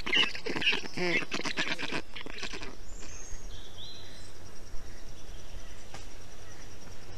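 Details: Black stork storklets in a nest in Estonia on 20 June 2021, during heat, while the adult male brings water, moss and wet grass to cool them. A dense burst of harsh, stacked calls fills the first two seconds, then quiet background.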